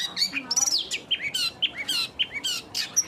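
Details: Long-tailed shrike singing a busy, varied run of sharp chirps, short whistled slurs and buzzy notes in quick succession, with pauses of a fraction of a second between bursts.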